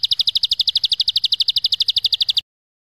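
A prinia gives a long, dry, drilling trill of high, even notes, about ten per second, for over two seconds before stopping.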